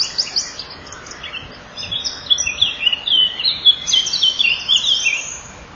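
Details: Common kingfishers at their nest on 12 May 2013 at 07:57, the female hearing the male arrive while he brings food for the chicks; dense high chirps and thin squeaky notes tumble over one another, busier in the second half.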